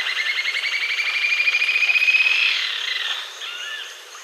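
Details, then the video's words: Green-tailed jacamar singing a rapid, trilled series of high notes that swells and then fades out after about three seconds, leaving a few soft slurred notes. "Canto Da Ariramba De Cauda Verde, Green-tailed Jacamar"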